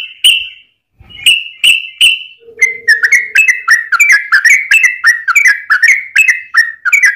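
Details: Yellow-vented bulbul in long fighting song, played as a lure to make other bulbuls sing; a few separate liquid whistles, then a fast, continuous run of bubbling, warbled notes repeated nearly three times a second, with a brief low hum.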